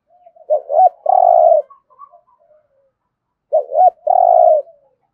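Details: Spotted dove with a resonant 'thổ rền' voice delivering two thúc gù phrases about three seconds apart. Each is a quick double coo leading into a long, full coo, with quiet gaps.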